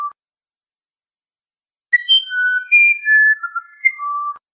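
A musician wren sings a phrase of about nine pure, flute-like whistles that step up and down in pitch, after one opening note and a pause; nothing else is heard.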